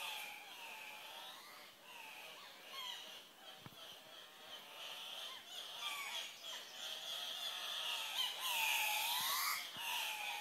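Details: Between 12 and 20 male Andean cocks-of-the-rock displaying at a lek at dawn to attract a few females give harsh, nasal squawks and rising, honking calls that overlap almost without pause, over a faint hiss.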